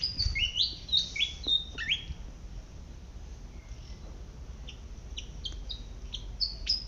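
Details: Malaysian pied fantail calling while foraging in a garden. A quick series of squeaky, rising whistled notes opens the recording, then softer high notes continue over a steady low background hum.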